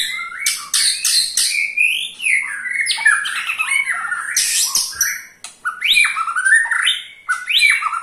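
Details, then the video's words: White-rumped shama giving the ketrekan, said to get other shamas singing. A continuous stream of loud, harsh, scratchy chattering notes mixed with quick rising whistles runs throughout. "KETREKAN SAKTI!! || MURAI BATU MANAPUN PASTI TIDA MAU DIAM IKUT GACOR"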